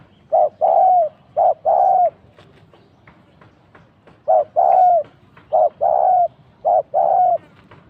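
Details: Trapping decoy spotted dove cooing; a pair was caught. Two short-long coo pairs, a gap with light clicks, then four more pairs of mellow, slightly falling coos.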